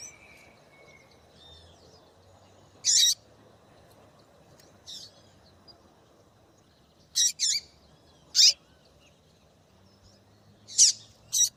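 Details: Female double-collared seedeater calling to stir a male into singing: short, sharp, high chips given singly or in quick pairs at irregular gaps, six calls over about eleven seconds, against a faint low background hum.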